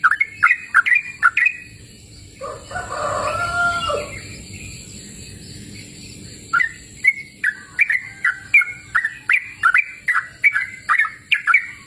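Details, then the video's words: Lively yellow-vented bulbul song, recorded in cool open countryside: quick bubbly warbled phrases, broken by a softer, lower burbling passage and a short pause, then a fresh rapid string of clicky, rolling notes. "Suara Merdu Burung Trucukan Gacor!"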